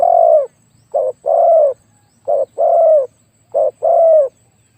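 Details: Spotted dove, a decoy bird used for luring, described as having a very big voice: three low coo phrases, each a short clipped note then a longer mellow descending coo, about 1.3 seconds apart.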